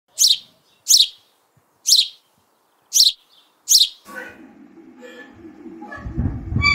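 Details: Baby parrot learning to talk, a pet ringneck or Alexandrine: five sharp, high downslurred chirps about one per second, then a rough murmuring voice and rustling noise to the end.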